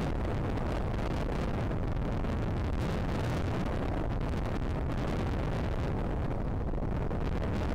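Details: Steady roaring wind buffeting the microphone, with deep low rumble throughout and no animal calls.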